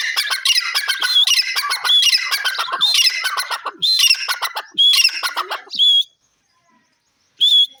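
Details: Grey francolin calling: loud, harsh, rapidly repeated ringing notes in dense bursts, with several voices overlapping, then a pause and one more sharp ringing note.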